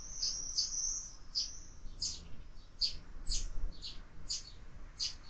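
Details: Sparrows in a window feeder, fighting among themselves: a thin high trill opens, then clipped, bright chirps repeated roughly every half second, loud and uneven, above a quiet low rumble.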